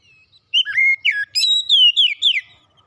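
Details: Oriental magpie-robin, a kept bird, heard as therapy for a stressed bird: after a short silence, a loud string of clear whistles, slurred up and down, with a long sustained whistled note near the middle.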